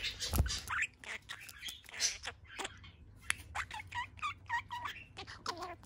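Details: Pet budgerigar in a cheerful mood, perched on one leg, chattering: a continuous run of rapid warbled and twittering notes with short clicks and squeaks, some notes rising and falling, over a faint low hum.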